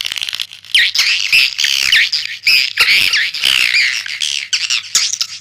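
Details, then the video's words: Swiftlet call: loud squawking twitters with bending, warbled high notes, delivered in uneven bursts between sharp clicks. "SUARA PANGGIL BURUNG WALET"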